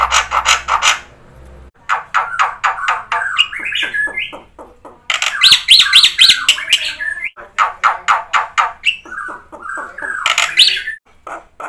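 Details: Black-winged myna singing vigorously ('gacor', 'full isian'), used to prompt quiet birds to answer: bursts of rapid harsh notes about four per second, broken by short whistled slurs and squeaky upward inflections.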